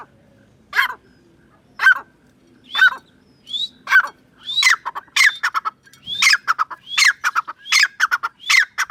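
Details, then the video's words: Grey francolin (teetar) calling in a series that builds up. Spaced single harsh notes come about once a second, then speed into rapid, repeated multi-note phrases with short rising whistled starts, growing denser toward the end. "Teetar ka sound Grey francline Sound"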